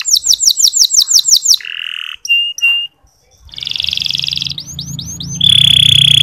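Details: Canary, used as soft chirping to encourage sluggish male canaries to sing: rapid repeated downslurred whistles, then buzzy notes, a short pause, a husky trill and a bright sustained tone near the end, with a faint low hum.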